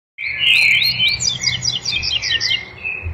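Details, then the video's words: Double-collared seedeater (coleiro) singing the tui tui zel zel song style: a loud slurred whistle that rises and falls, then a fast run of sharp, repeated chipping notes that fades at the end. No other sounds stand out. "Coleiro Máquina tui tui zel zel"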